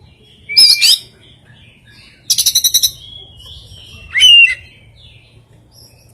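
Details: Strange, varied oriental magpie-robin song holding rare fill phrases: a sliding whistle with a rough note, a fast rattle of six quick stuttered notes, then a bright rising whistle.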